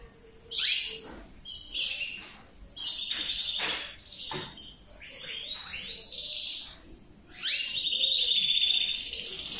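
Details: Male canary delivering broken bursts of song: sharp chirps, quick buzzy trills and rolling phrases separated by short pauses, ending in a long, steady, high trilled passage.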